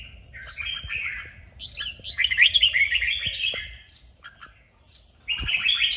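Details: Red-whiskered bulbul singing in a recording meant to spur bulbuls to sing: soft opening notes, then a loud, rich warbling phrase, faint calls, and a renewed burst of song at the end, over low hum.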